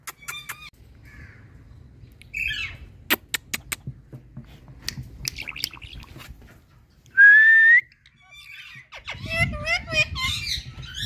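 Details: Indian parrot imitating water drops: thin whistles and scattered sharp clicks, a loud rising whistled note, then a tumble of squeaky, chattering phrases at the close.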